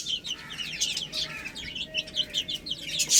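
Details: Chicks eating spinach, several calling at once with bright, high, downward-slurred peeps in quick succession.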